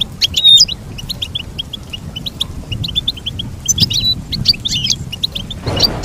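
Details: Goldfinch singing a lively jumble of quick tinkling chirps and brief whistles, with a short burst of broadband noise near the end.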